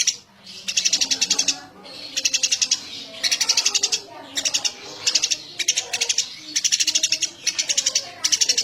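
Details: A chatty Eurasian tree sparrow delivers a steady string of chirp bursts, about one each second, each a rapid run of five to eight harsh notes, with low murmuring sounds underneath.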